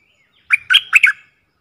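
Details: A caged decoy bulbul, one of four, utters a quick, gurgling phrase of four rich notes joined by a faint, level whistle. The background is quiet.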